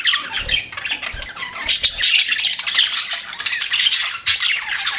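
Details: Pet budgies warbling and chirping in a rambling, raspy stream, with a few soft low knocks in the background early on.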